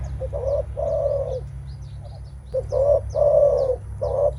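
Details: Rival-meeting menguku call of a spotted dove, mostly given by males before testing strength: two bursts of short and long low coos separated by a pause, thin high chirps from other birds above.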